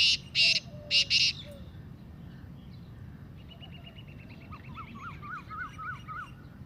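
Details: Three loud, grating bursts from a black francolin in its 'masti' calling voice open the recording. Fainter bird notes follow: a soft whistle, then a rapid twittering series of quick rising chirps.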